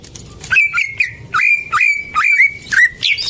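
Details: Greater green leafbird whistling, played as a lure for silent birds: clear mid-pitched whistled notes, each starting with a quick rise and then holding steady, repeated roughly every half second.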